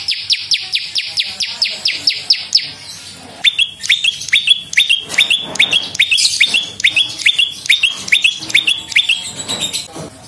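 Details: Prenjak lumut prinia song used as a lure and training recording: a fast run of sharp high chirps, then a lower series of clipped, repeated notes, about two per second, with faint chatter behind.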